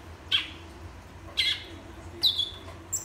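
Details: Three separate sharp whistled notes from a Black-and-white seedeater, spaced about a second apart, each starting high and dropping to a brief steady tone.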